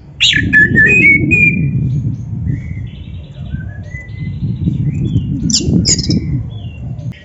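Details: Oriental magpie-robin (kacer) master song for training: a sharp downward note, then drawn-out flat whistles at varied pitches, with two high chips near the end, over steady low rumbling background noise.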